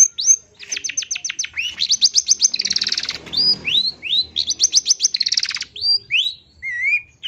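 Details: Long-tailed shrike lure song for getting birds to sing: rapid buzzy rattling trills alternate with rising whistled notes and a few lower slurred whistles, a busy, restless delivery.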